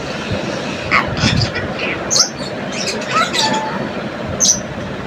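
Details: Pet rose-ringed (ringneck) parakeet chatters in short, speech-like bursts, mimicking taught Urdu words and phrases, mixed with sharp, high whistled chirps, over a steady rumble of passing traffic.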